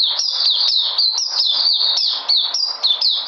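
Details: White-eye recorded on 13 February 2020, described as coming back in energy, sings high, sharp notes that fall in pitch. The notes repeat rapidly and steadily for the whole stretch, with no other clear sounds.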